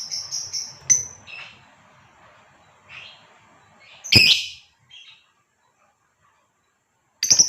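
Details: ['Female fighter lovebird luring a male to sing. Scattered thin high chips and soft rasps, then one loud harsh shriek, a brief quiet gap and a final sharp squawk.']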